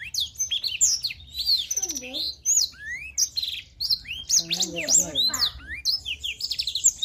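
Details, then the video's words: Black-throated canary in energetic 'gacor' song: quick high twittering phrases, sharp slurred whistles and brief buzzy trills run together, with faint lower murmuring sounds in the background midway. "Blackthroat Super Gacor"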